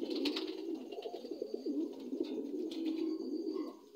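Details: Steady, throaty cooing from dun Lahore pigeons, new adults, forms a continuous low warble, with a burst of rustling that may be wing flaps near the start.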